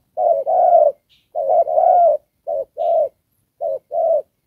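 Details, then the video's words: Trapping decoy spotted dove cooing in đồng pha style: three mellow two-note coos, the first two with long, drawn-out second notes, the last pair shorter and crisper. "Đồng Pha (Chim khá...có rước, có kèm)"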